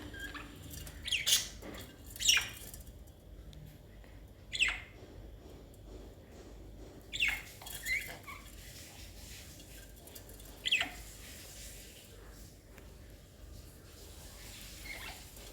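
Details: Pet budgerigars playing give short, sharp squeaky chirps spaced a few seconds apart over a quiet background hum.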